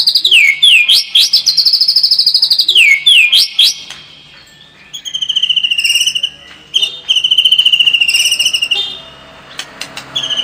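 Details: White-rumped shama song used as a lure to toughen a bird's fighting spirit: rapid chains of upslurred whistles and steady high notes, then fast buzzy chattering series, with a brief quieter gap in the middle.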